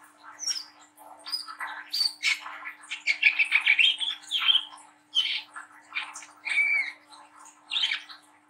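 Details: Brown-throated sunbird, a young spotted-plumage bird in ngriwik nglagu style, used as a training lure for young birds. Quick shrill chirps and rapid scratchy twitters run together into a busy high warble, with a soft background hum.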